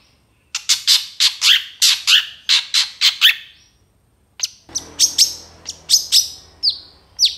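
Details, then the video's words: Long-tailed shrike in full-fill, nonstop song used to train other birds: a rapid run of sharp, high chirped notes, a brief pause, then thinner whistled notes and clicks, with faint low hum behind. "SUARA CENDET FULL ISIAN GACOR DOR"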